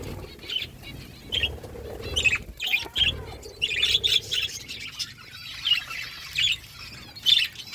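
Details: Eating budgies in a flock chirp in short, bright bursts of high twittering, repeated roughly every half second, over soft rustling.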